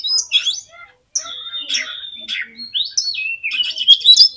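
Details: An Oriental magpie-robin sings to fire up other magpie-robins, mixing high thin whistles, rapid scratchy twitters and a long wavering whistled phrase, after a short silence near the start.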